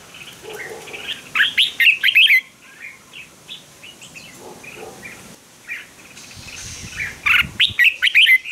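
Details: Red-whiskered bulbul (chào mào) fighting song played to stimulate birds; scattered whistled phrases with quieter notes between louder bursts at the start and end, plus a brief low rumble.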